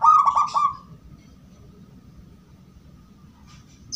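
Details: Cooing zebra dove of the gedong mengo type, prized for its 'crystal' voice and used as a lure for other doves: one short pulsed, bubbling coo at the start, then quiet with faint thin high chirps near the end.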